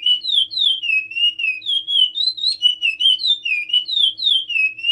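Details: A chestnut-bellied seed finch sings a Timbira-style song, a steady, flowing run of clear, high whistled notes rising and falling about four times a second, over a faint low hum.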